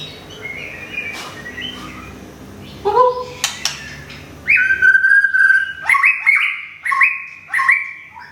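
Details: White-rumped shama in Thailand, a Thung Song songbird newly moved and finishing its moult, singing loud whistled phrases after a quiet start: sustained level notes with rising and falling slurs, repeated in bursts through the second half.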